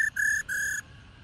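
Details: Female black-throated laughingthrush, an old wild bird, used to excite males into singing: three short, flat, ringing whistles with a metallic, harmonic-rich tone, closely spaced within under a second.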